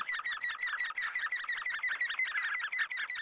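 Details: Great spotted woodpecker in Korea, raising its young: rapid, closely spaced squeaky calls, about three per second, running continuously with slight overlap and no pauses.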